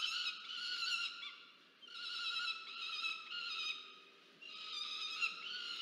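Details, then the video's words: Peregrine falcon chick at a Charles Sturt University nest cam, Orange, New South Wales, 13 November 2022, pleading with a parent for food: three long harsh wailing bouts separated by quieter gaps. "Rubus domaga się jedzenia od Diamond"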